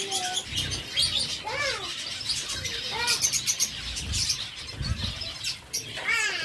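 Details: Zebra finches feeding on seeds give short curved nasal notes, some in quick pairs and triplets, then another near the end, against constant high chattering of many birds.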